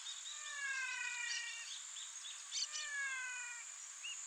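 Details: Brazilian teal calling: two sets of rich, descending whistled notes with a nasal quality, one near the start and one around three seconds, over a steady high insect drone and scattered short chirps.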